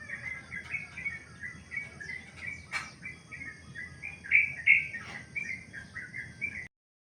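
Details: Long sooty-headed bulbul song used as a training recording: a continuous run of chirpy whistled notes with quick pitch turns, slightly louder near the end, over a faint background hiss and one sharp click.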